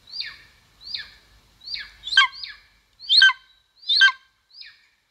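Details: Live nest-camera recording of a golden eagle in Estonia, 2022: about eight descending yelps, the middle ones louder and harsher with a grating edge, the last note soft and short.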